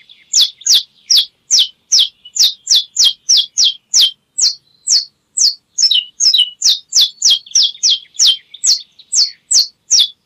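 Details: Canary singing, recorded for training canaries: a long run of bright, sharp, high chirped notes repeated about twice a second, steady at first, with a few slurred notes midway, on a clean quiet background.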